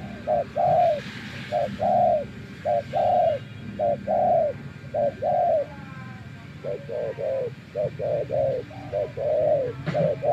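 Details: Spotted dove decoy for bird trapping, tamed after days living in the wild, coos steadily: about ten short-long pairs, louder in the first half, a softer rapid run of coos after six seconds, and a click at the close.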